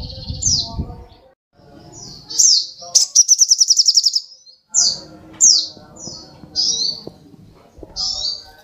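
Little Spiderhunter giving sharp, high, down-slurred chips at uneven intervals, broken by a fast ringing trill of about ten notes; faint low rustling underneath.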